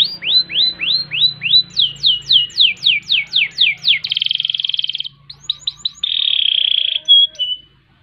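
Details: Singing canary, used as a tutor and lure recording: a run of evenly spaced down-slurred whistles, about four per second, then a steeper series, a buzzy trill, quick chips and a second buzzing roll, with a faint low hum.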